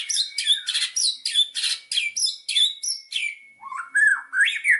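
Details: Lure song of an Indonesian white-rumped shama, played to make birds sing: harsh, buzzy chattering bursts repeated about three times a second, then a softer run of slurred whistled phrases.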